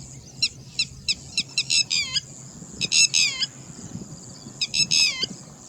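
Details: Red-wattled lapwing, angry, calling in alarm with loud, shrill, falling notes repeated in quick clusters of three to six, separated by brief pauses, against a faint constant high-pitched hum.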